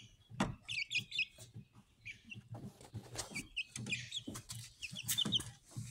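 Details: Speckled Sussex chicks hatched 22 March 2023 and recorded 22 April 2023 give scattered short high chirps and trills among sharp taps, knocks and low rumbling clucks.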